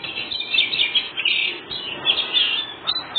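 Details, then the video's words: Oriental magpie-robin with a white breast in full 'ngobra' song, meant to draw replies from other birds: dense, scratchy warbling phrases that swell and fade in quick succession, with no other noticeable sounds. "Kacer full ngobra satu detik burung bahan langsung nyaut"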